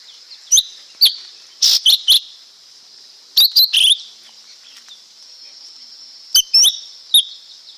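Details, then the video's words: Lesser green leafbird song of loud, sharp chirps and harsh buzzy notes in bursts of two to four, with short gaps between groups, against a steady high-pitched hiss. "เสียงนกเขียวก้านตองเล็ก Lesser Green Leafbird Sound"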